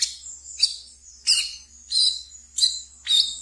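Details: Ngeriwik song of a captive brown-throated sunbird, played as a training lure: bright, high, buzzy chirps repeated roughly every 0.65 seconds over a thin continuous high whine.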